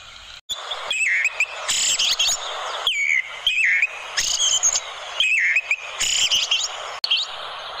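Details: Orange-headed thrush giving a melodious song, offered as tutor material for training other songbirds: varied slurred whistled phrases, dipping then rising, delivered in quick bursts about once a second with short gaps, over a steady high hiss.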